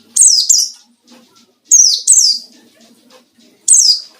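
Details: Ngalas-style white-eye song meant to provoke rivals as a lure: three bursts of two sharp, high descending whistles each, separated by short quiet gaps, with a faint low hum beneath.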